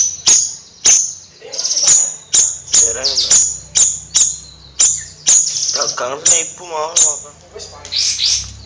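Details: Chattering 'nyrecet' song of a Bayeman bird: high, sharp ticking notes struck roughly every half second, mixed with lower warbling, wavering phrases from another sound source in the middle and end.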